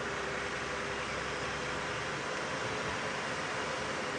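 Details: Even broadband hiss with a faint steady hum and engine drone, and no calls from any animal.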